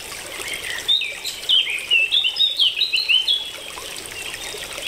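Purple honeycreeper giving a quick run of thin, high, squeaky notes over about two seconds, above a steady hiss like trickling water.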